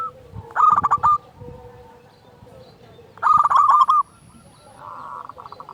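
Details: Zebra dove, local strain, singing as a lure for other doves: two short bursts of rapid rolling coos about two and a half seconds apart, a steady faint lower tone between them.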